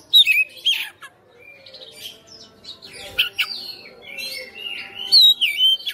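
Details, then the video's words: Domestic kacer, the Oriental magpie-robin, in fighter mode and showing off its song fill: varied whistled slurs, some falling sharply, mixed with scratchy chips, uneven rhythm, loud bouts at start and end. "KACER RUMAHAN FIGHTER NGOTOT | GACOR | BONGKAR ISIAN"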